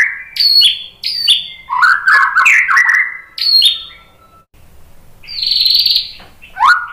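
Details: White-rumped shama song for stimulating other shamas: repeated sharp down-slurred whistles, a jumbled warbling run, then a long high sustained note and a rising whistle.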